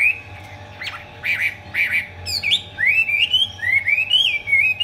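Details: Chinese hwamei in 'hót xòe' spread-tail song with eagle-wing display. It gives loud clear whistles, a few abrupt notes, then a flowing chain of rising slurred phrases climbing in pitch. A constant low hum runs beneath.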